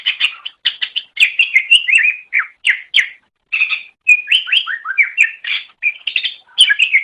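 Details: Greater green leafbird (cucak ijo) singing as a master recording for songbird training: nonstop rapid, varied chirps and slurred whistled phrases, bright and high, with only brief pauses between bursts.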